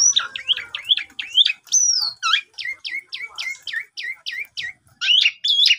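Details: Javan pied starling lure song played in the morning to make a mute bird sing, recorded on a phone: a fast series of sharp, hooked whistled notes, roughly two per second, with scratchy chatter.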